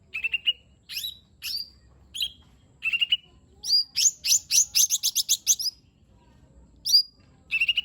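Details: Lesser green leafbird song to encourage a lazy bird: level whistled phrases and upswept notes, then a quick rattling run of rapid high chirps, ending with further whistles.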